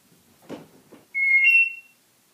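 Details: Pet African grey parrot indoors, talking and singing Hallelujah: a short, clear, pure whistle held briefly and rising slightly, preceded by faint soft mumbling.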